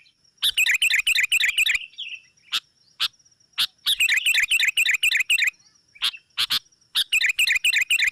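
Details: Rival-attracting lure sound of a sooty-headed bulbul: rapid rattling runs of chips about a second long, repeated with isolated single notes between, over a thin continuous high whine.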